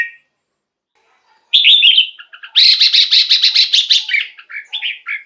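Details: Red-whiskered bulbul song played to excite caged birds: a brief whistle, a pause, then a loud rapid run of repeated bright chirpy notes followed by short warbled phrases.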